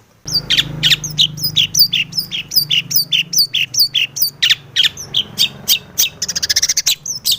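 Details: Energetic long-tailed shrike song meant to prompt other shrikes to sing: a steady stream of sharp descending whistled notes, about three per second, with a brief rapid rattling trill near the end over a low hum.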